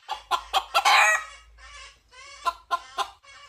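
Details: A red junglefowl seeking a female gives four quick clucks rising into a harsh crow, a softer drawn-out note, then three more spaced clucks.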